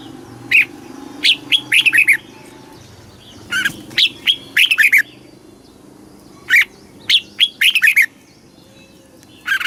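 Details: Red-whiskered bulbul kept as a cage bird in Thailand, southern master song style, played to excite caged birds and teach young birds; short bursts of bright, fluty, bubbling notes in quick clusters separated by pauses of two seconds or more.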